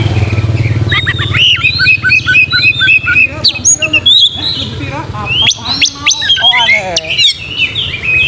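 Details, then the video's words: Magpie-robin song played to provoke fighting and tail spreading; strings of repeated chirps at a steady quick pace, then rising and falling whistled slurs and crisp high clicks, over a low hum at the start. "PANCING KACER BAKALAN CEPAT GACOR TARUNG BUKA EKOR DONGKRAK EMOSI"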